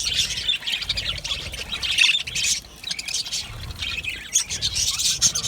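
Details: Many budgerigars in a colony aviary chatter nonstop, high squeaky chirps and warbled trills layered densely, a few sharper whistled notes standing out around the two-second mark.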